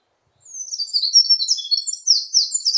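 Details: Eurasian wren song: after a brief pause, a bright, very high, fast outpouring of twittering notes and quick trills that continues without a break to the end, against a clean, quiet background.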